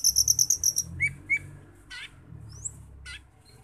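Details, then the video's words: A cucak keling sings a lure track meant to stimulate other birds into song: a fast, high string of about eight sharp ticking notes, then short rising whistles and a few buzzy chirps. "Pancingan Cucak Keling Biar Gacor Teler"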